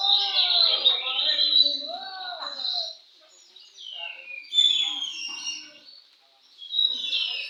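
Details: Singing contest scene: an Oriental magpie-robin gives varied whistled phrases and sweeping notes, with lower curved calls and murmuring voices mixed in, pausing twice before loud whistles resume.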